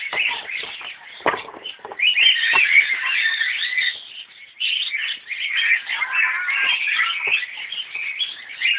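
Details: Cockatiels at the Zoological Garden, Alipore, Kolkata, India chatter with a dense, busy stream of chirps and short whistled notes that overlap throughout.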